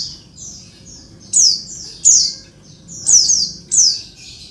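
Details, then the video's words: High calls of a female Oriental white-eye luring males into singing; soft faint chirps lead into louder, steeply falling buzzy notes, often doubled, in irregular bursts. "suara pleci betina ribut manggil jantan bikin cepat ngalas"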